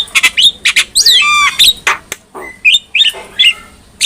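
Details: Black-winged myna song for coaching other mynas: squawky bursts, a buzzy descending phrase, then scattered short whistles and a harsh squawk.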